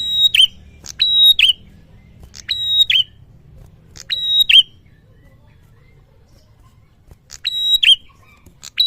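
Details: A male prinia calling actively: sharp, high, metallic notes given in quick pairs or triplets, bursts separated by pauses of one to two seconds, over a low background rumble.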